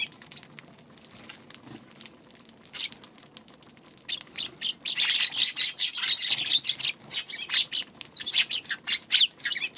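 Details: On March 2 a Eurasian tree sparrow stays mostly quiet at first, then breaks into a steady stream of high, chattering chirps for the second half, roughly two to three notes each second.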